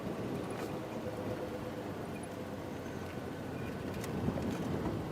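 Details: Steady low rumble of wind and a running engine, with no animal calls standing out.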